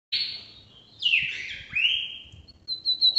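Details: Lined seedeater, or bigodinho, singing the northeast song type from Brazil, used to tutor birds: a buzzy high note sliding downward, then a burst of rough chattering and a long descending slur, ending in sharp high pips.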